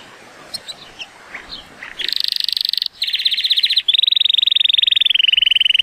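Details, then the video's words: Timbrado Español canary, male, born 2018 and rated 83 points, on a sunny day: faint chips at first, then a loud fast rolling trill and a long gliding water-like trill that slowly drops in pitch. "The most PLEASANT Canary training song"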